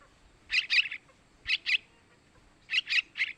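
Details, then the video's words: Sooty-headed bulbul chick begging calls, used to attract male bulbuls: harsh, buzzy chirps clustered in twos and threes, each cluster following roughly a second after the last. "Suara Anakan Trucukan buat Pancingan burung Trucukan jantan"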